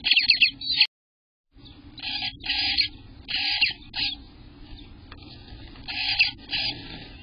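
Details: Eastern bluebird nestlings in their nest on day 18, recorded June 24th, 2021, between 6 am and 1 pm: harsh, buzzy begging bursts repeated in quick pulses, broken by a short silent gap, over a low rumbling background.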